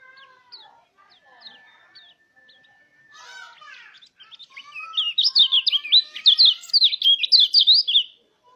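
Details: Mountain white-eye singing as a lure to get other white-eyes singing; faint mixed chirps and a steady thin tone at first, then a loud, rapid, high warbling burst of zigzag notes lasting about three seconds.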